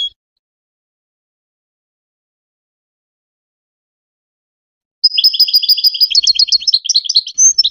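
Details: Teaching song for hybrid chicks and goldfinches: after a long silence, a goldfinch breaks into a continuous rapid, high twittering warble of tinkling, run-together notes.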